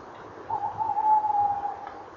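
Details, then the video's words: Male tawny owl calling at a nest box camera site, 19 November 2013 at 18:17, female answering nearby; one steady, slightly wavering hooted note held about a second over a quiet background hiss. "Bosuil M roept en rolt V antwoordt M bij kast"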